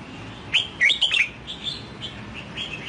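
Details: Wild-caught red-whiskered bulbul, freshly purchased and trained toward the Sông Kon song style, delivering one quick run of clear whistled notes that sweep up and down, followed by faint softer notes.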